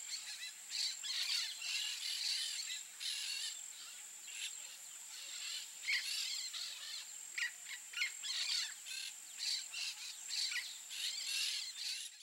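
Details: Wild Peach-fronted Parakeets (Eupsittula aurea) give harsh, scratchy screeches in overlapping bursts, high and grating, over a steady thin hiss of insects.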